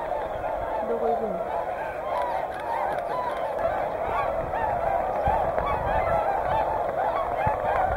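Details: A massed Whooper and Tundra swan flock at Hyoko, Niigata, gives constant overlapping trumpet-like honks, and a brief human voice is heard early on.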